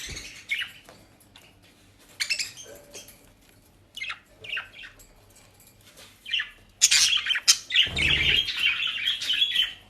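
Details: Budgerigars kept as pets in Den Haag, busy with dry leaves and grass, give scattered high chirps. These lead to a loud, dense burst of chatter mixed with wing flapping near the end.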